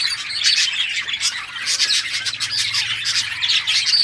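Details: Playing budgerigars recorded June 17, 2023 give rapid, overlapping chirps and rough squawks in an unbroken stream, with a faint low hum beneath.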